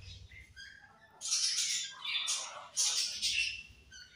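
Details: Budgerigars chirp and chatter in bright, scratchy bursts with quick high twitters.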